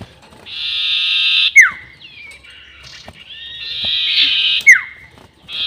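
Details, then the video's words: Lure sound of a sirtu bird, the long 'nyiul' call: a drawn-out buzzing note snapping into a quick downward whistle, a softer wavering stretch, then another buzz-and-whistle phrase. "SIRTU NYIUL PANJANG ..... ‼️ Cocok Untuk Pikat || Suara Pancingan Sirtu"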